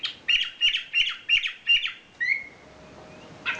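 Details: Champion wambi bird singing: five quick, evenly paced bursts of buzzy, twittering notes, then a thin drawn-out whistle and one final chirpy burst, over quiet background noise.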